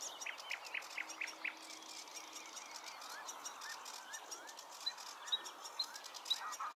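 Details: Bluethroat at Klingaväl, 16 May 2022: a quick series of about five repeated rising notes, then lower slurred whistles and scattered thin, high pips spaced irregularly, over a steady background hiss.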